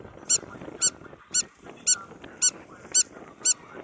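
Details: Spur-winged lapwing on a resort beach at Marsa Alam, Egypt: sharp, high metallic notes repeated about every half second, seven evenly spaced calls over a soft background murmur.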